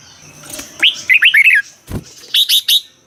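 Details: Caged-bird excitement song of a red-whiskered bulbul, Thailand: a bubbly run of four or five dipping whistled notes, a dull knock, then three sharp high chirps.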